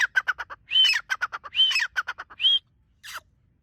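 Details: Partridge (teetar) calling: rapid series of short sharp notes broken by loud, arched, whistled notes rising and falling, in three bursts, then a final falling note after a short pause.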